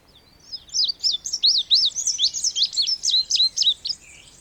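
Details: Indigo bunting singing a rapid run of high, sweet, slurred notes, many in pairs, delivered steadily for about three seconds before a closing lower note.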